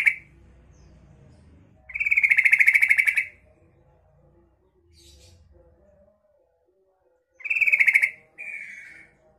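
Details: Female yellow-vented bulbul call, used as a lure for young untrained bulbuls: bursts of harsh, buzzy chattering notes, one lasting over a second, then a pause, then two shorter bursts. Quiet background.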